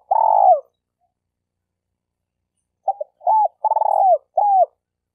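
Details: Spotted dove decoy bird, used in Malaysia for trapping: a long purring coo ending in a downward slide, a pause, then clipped notes, a hooked coo, another throbbing purr and a final curved coo.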